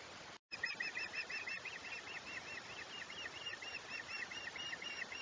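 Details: Chesapeake osprey nest, 21 July 2021: a long, fast run of thin, whistled chirps, roughly four per second, continuing for several seconds against a constant hiss.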